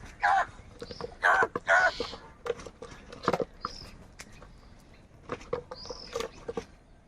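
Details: Morning crows, many together: three short harsh caws in quick succession at the start, then scattered clicks, taps and faint high chirps.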